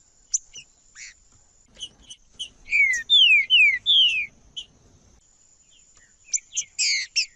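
Green-winged saltator singing a quick run of five loud, downslurred whistles, framed by sharp high chips, over a faint steady high-pitched tone.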